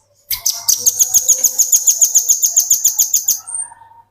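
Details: Velvet-fronted nuthatch singing energetically as a tutor recording for training other birds: a fast, even run of about seventeen sharp, high chipping notes over three seconds, then a short faint trailing note.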